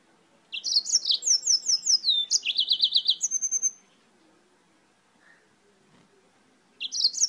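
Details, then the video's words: Yellow-fronted canary from Spain, singing at length: a lively phrase of about three seconds of rapid, high, repeated chips and slurred whistles, a silent gap, then the song starts again. "CANÁRIO-DE-MOÇAMBIQUE DIRETO DA ESPANHA CANTANDO MUITO"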